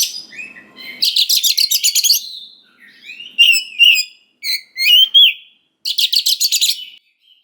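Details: Oriental magpie-robin in full song, a lure to provoke young wild-caught birds into responding: rapid buzzy pulsed trills alternate with loud sweet whistled notes, the rattling series returning near the end.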